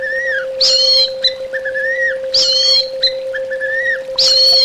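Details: Orange-headed thrush singing for song therapy: clear, sliding whistles, each followed by a harsh rich burst, repeated roughly every one and a half seconds, with a steady hum behind.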